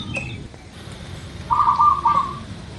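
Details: Local zebra dove, recorded as a lure to get birds singing: one purring, bubbling coo phrase in the second half, set against a constant noisy hiss.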